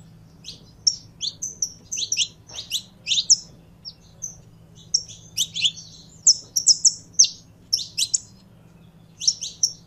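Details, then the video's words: Saffron finch, a captive canário-da-terra, sings looser, scattered phrases of high ringing chirps and brief slurs, pausing irregularly between short bursts; a faint low hum persists underneath. "Canário da Terra Esquentando em 3 2 1!!! Manejo Top Pra Foguear seu Canário!!!"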